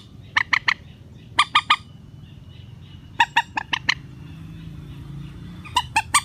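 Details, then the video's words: Rail calls used as a relaxed trapping lure: spaced groups of three to five sharp squawky notes separated by pauses of a second or more, over faint low hum. "PIKAT BURUNG MANDAR SUARA SANTAI"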